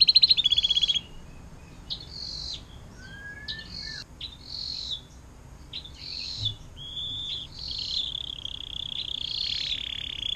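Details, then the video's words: Atlantic canary fountain-style song serving as tutor for oriental magpie-robin, green leafbird and long-tailed shrike; a brief loud pulsed trill, then a series of sharp high chirps and a low sliding whistle. "KENARI DENGAN LAGU AIR MANCURAN PANJANG"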